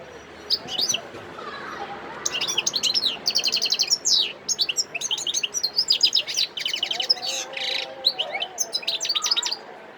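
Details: Song of a wild European goldfinch, Sidi Bel Abbes, Algeria, 17 December 2021: a continuous run of fast liquid twitters, buzzy trills and sharp high notes, nearly unbroken for several seconds, with a soft background hum.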